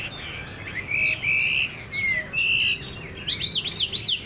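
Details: A hand-tame caged Chinese hwamei gives clear, level whistles and quick slurred notes, then a rapid series of sharp, repeated up-and-down whistled notes.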